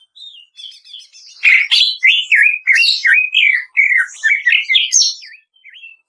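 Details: Kretekan song of the greater green leafbird (cucak ijo), produced to stimulate other birds to sing: soft opening chirps build into a rapid, loud sequence of wavering whistles and sharp notes that tails off.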